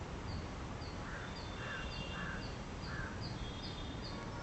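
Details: Purple swamphen feeding with its chicks: thin, high peeps slide downward about three times a second, with a few lower, hoarse calls between, over a steady low rumble of wind.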